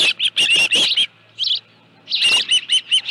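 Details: Osprey at the Dunrovin Ranch nest holding a live fish, 25 July 2018, 5:23 PM: a brief cluster of shrill chirps, one faint note after a silence, then another short burst.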